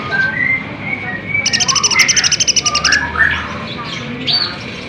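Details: Sunbird (kolibri ninja) in energetic full-burst song, used as a lure to provoke other birds into answering: thin whistled slurs, then a fast, even rattling trill of high notes lasting about one and a half seconds, with a steady background hum.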